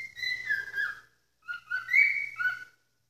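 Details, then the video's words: Pet cockatiel screaming indoors at a late hour: two bursts of loud, harsh, harmonic whistled notes. The first is drawn-out and slightly falling, the second rises and wavers, with a short silence between them. "Calopsita joaminha gritando essa Hora"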